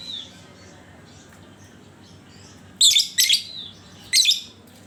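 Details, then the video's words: Lovebird used to lure other lovebirds into singing: soft thin whistles in the background, then three sudden harsh, raspy chatter bursts, the first two close together. "Panciangan Burung Lovebird"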